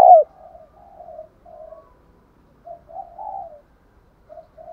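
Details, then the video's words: Spotted dove used as a caged decoy, giving a fighting coo meant to make other caged doves answer; soft low cooing notes in short phrases, a louder opening note then quieter coos spaced about a second apart. "chim cu mồi thúc đấu vang cả xóm"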